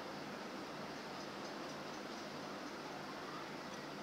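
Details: Continuous broadband hiss like a fan or room noise, without any animal sound.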